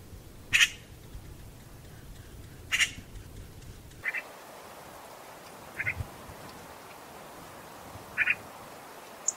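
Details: Eurasian magpie calls: two loud rasping squawks, then softer, narrower paired harsh notes repeated about every two seconds, with steady low background noise.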